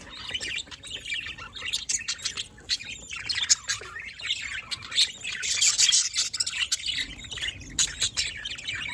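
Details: A chorus of budgerigars, recorded 27 October 2023, produces dense, shrill twittering and sharp chirps, building louder toward the middle with many birds calling at once.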